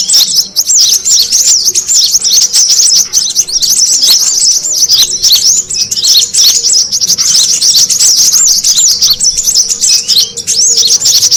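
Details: Noisy lure sound of brown-throated sunbirds, used to make birds gather: an unbroken stream of thin, high, sharply rising and falling twitters packed tightly together throughout, with a faint low hum underneath.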